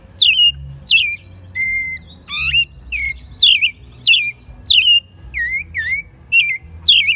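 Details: Captive American robin in Mexico City singing in spring 2020, still a bit rough-voiced; quick repeated warbles with squeaky high overtones and a level held whistle, about one and a half phrases per second, hum beneath.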